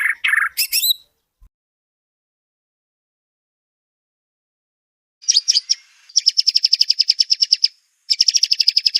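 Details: White-rumped shama song as a master recording, starting with a couple of brief harsh notes, then after a long silence a dense, fast rattling trill repeated in two extended bursts.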